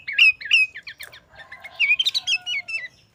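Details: Energetic 'gacor' song of a sooty-headed bulbul with fill-in phrases, for training caged birds: two rising whistled notes, then a jumble of varied chirps and warbled phrases climbing and falling in pitch.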